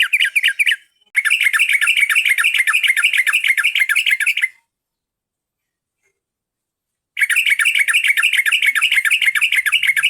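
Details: Yellow-vented bulbul song used as a lure to attract birds: fast, dense bubbly chattering notes repeated in long unbroken bursts, cut by a short pause and then a long silence before the chatter resumes.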